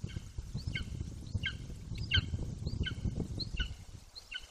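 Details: A young Golden Eagle, 18 weeks old, still nearby and calling off and on close to the nest in Bucovina, 9.6.21. It gives a steady string of high, falling, slightly hoarse yelps about every half second over a low wind rumble.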